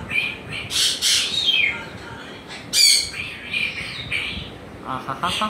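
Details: A pet African grey parrot at home gives a series of harsh squawks and whistled chatter, one loud burst near the middle, amid talking and laughter in the room.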